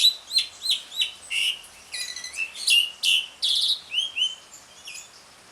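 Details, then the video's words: Jalak suren (Asian pied starling) ngriwik song played to prompt silent birds to sing: rhythmic chirps at the start, then buzzy harsh bursts, whistled slurs and rising notes, fading out at the end. "JALAK SUREN NGRIWIK, PANCINGAN JALAK SUREN MACET BUNYI"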